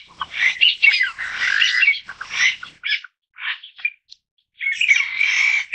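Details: A Taiwan bamboo partridge (Bambusicola sonorivox), a Taiwan endemic of mid-to-low elevation forest, gives loud, harsh, rasping phrases in quick bursts, then a short pause before a final strident outburst.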